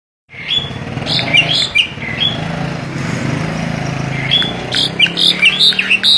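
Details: Starling (jalak) giving a varied run of short, clear whistled notes and slurred chirps, some rising and some falling, over a steady low engine-like hum.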